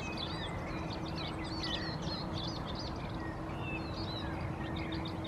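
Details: A male house sparrow perched in a bush in Helsinki, Finland, in April 2023 gives short, bright chirps in quick, overlapping bursts throughout. Other species dominate the soundscape, over a steady low rumble and faint hum.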